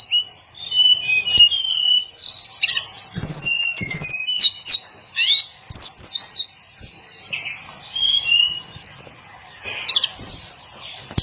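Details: Hill blue flycatcher singing its daily song: a long, varied stream of high, sweet whistles and slurred notes, some sharp and rising, with short gaps between phrases.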